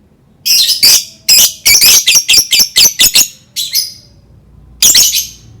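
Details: Lovebird vocalising, meant to make other lovebirds sing: a quick, stuttering sequence of about a dozen sharp, rasping, high squawks, a pause, then one more burst near the end.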